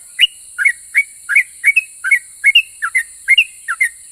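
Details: A sooty-headed bulbul sings a rapid chain of short, bubbly whistled notes, over two per second, alternating rising and dipping shapes, meant to make other bulbuls answer; a thin constant hiss sits underneath.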